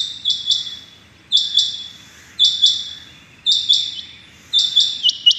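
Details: Morning calls of the rain quail, 6.7.21: five regular bursts of clipped, high-pitched paired notes, each burst roughly 1.1 seconds after the last, with faint low background hum.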